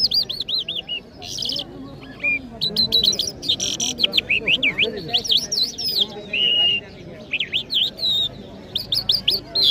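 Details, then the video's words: Jal bird of the Iranian Mashhadi kind in full song in Kabul, Afghanistan. Long varied phrases of high looping whistles, buzzy trills and quick sweeping notes. Crowd voices murmur low in the background. "Jal Bird Singing |Iranian Jal Mashady Birds | جل مشهدي |طرقه پرنده مست و خواندي در کابل"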